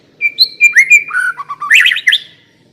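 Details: White-rumped shama song used as a lure to prompt another shama to sing: a clear whistled note held near one pitch, then sliding, warbled phrases dropping lower before a burst of rapid high twittering.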